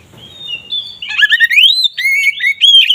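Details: Oriental magpie-robin ngeplong song, said to raise kacer mating drive: a soft level whistle building into a loud, continuous flow of rising, falling and warbled whistled notes.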